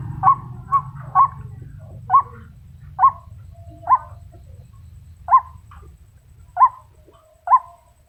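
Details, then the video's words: Calling to attract males, a female white-breasted waterhen gives loud, sharp, upward-flicked notes, quick at first, then spaced roughly a second apart with gaps lengthening; faint low rumble early on. "นกกวักตัวเมีย ร้องเรียกตัวผู้ ร้องดีเสียงชัด"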